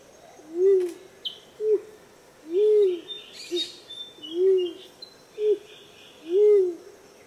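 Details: Rose-crowned fruit dove in Australia giving soft, low hooting coos, long and short notes alternating about once a second, with faint high chirps of other birds behind.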